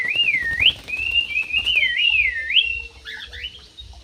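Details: Captive Javan pied starling, described as a bird good at dancing, gives loud, clear whistled phrases that wave up and down in sinuous loops, rising at the ends, with softer whistles trailing off.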